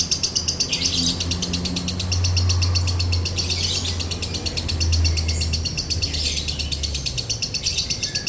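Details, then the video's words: Lovebird singing a dry-toned konslet, used to tutor and provoke other lovebirds: a dense, rapid stream of harsh chirps throughout, with a low droning hum in the background. "MASTERAN LOVEBIRD KONSLET NADA KERING | PANCINGAN SUARA LOVEBIRD KONSLET"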